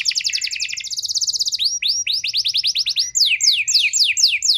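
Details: Lure song (pancingan) of a canary, meant to set off out-of-condition canaries: a fast, even trill of short high notes, then slower rising swept notes, ending in sharp descending strokes.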